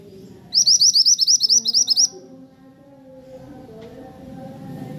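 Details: Zebra finch singing in the cor dor style: a fast burst of about a dozen high, bright, looping notes repeated evenly for roughly a second and a half, then quiet with low background hum.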